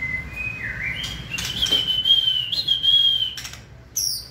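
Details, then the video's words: White-rumped shama in peak 'fire' condition, 2020 season, giving a long thin high whistle that holds nearly level with slight wavers, interrupted briefly by soft rustling. "Cọp Biển rực lửa (shama bird)"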